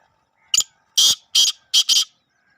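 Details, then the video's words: Kala teetar, the black francolin, giving its rasping call: one short sharp note followed by three loud, buzzy, broad notes, the final one doubled, with faint low hum underneath. "kale teetar ki awaj !! kaa laa tee tar"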